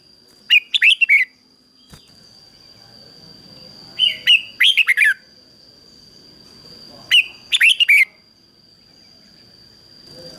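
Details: Decoy red-whiskered bulbul singing to draw in wild birds: three chattering phrases of quick whistled notes about three seconds apart, a single click between them, over a steady high whine.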